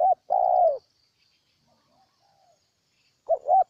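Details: Spotted dove in Ninh Thuận, Vietnam. A sustained, throaty coo gently sinks in pitch and is followed by a long silence. A brisk double hoot begins the next phrase at the end.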